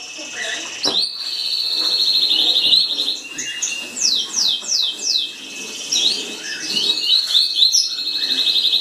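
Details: Green-winged saltator singing fast, its "tuí tuí" song: long, high, rapidly trilled notes broken by a quick run of slurred, falling whistles.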